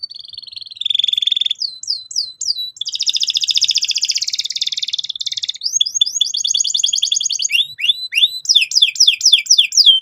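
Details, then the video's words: Canary song intended to provoke another bird into rolling. A trilled phrase is followed by a few swept notes and a long dense buzzy roll. Rapid clipped chirps follow, then a run of falling sweeps. "PANCINGAN BURUNG KENARI GACOR SEKETIKA BIKIN PAUD NGEROL NGK MAU DIAM"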